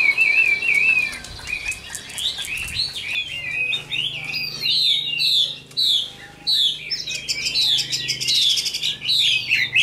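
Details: Wild-caught mature Chinese hwamei kept in a cage, delivering a rich flowing song of rising and falling whistles, quick trills and warbled phrases, with brief pauses between bursts.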